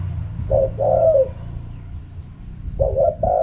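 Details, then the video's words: Spotted dove cooing in the wild-style song known as khaham pa, with two low, husky coo phrases, each a short note then a longer rolling coo, separated by a pause; soft low thumping noises underneath. "เสียงนกเขาใหญ่ คารมป่า 100"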